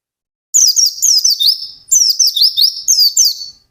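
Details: White-eye in fast ngalas song, singing intensely, starting after a brief silence with three dense bursts of very high, rapid, chattering notes and slurred whistles.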